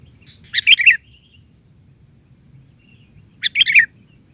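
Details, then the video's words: Sooty-headed bulbul singing isian (filler) song in the bahari version. Two short bubbly phrases of several quick notes, each slurring downward at the end, come about three seconds apart over a soft low hum. "Suara isian...burung kutilang gacor versi bahari"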